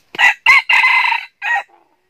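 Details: Red junglefowl crowing during trapping of wild junglefowl with a decoy bird in northern Vietnam: a loud, close, four-part crow, the long middle section held and strained, ending in an abrupt short note.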